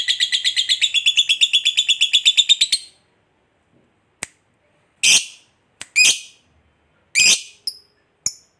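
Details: Fighter lovebird, kept to provoke other lovebirds, gives an almost three-second shrill rattling trill, then falls silent apart from scattered sharp chirps and clicks.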